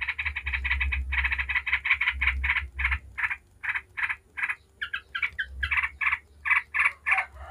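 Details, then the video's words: Rapid 'ngebren' song of a yellow-vented bulbul, played to lure other bulbuls to respond: harsh chattering notes about three per second, slowing into separated bursts with some clearer notes, against a low rumble. "Trucuk ngebren bikin ribut trucuk manapun dijamin langsung nyaut ribut"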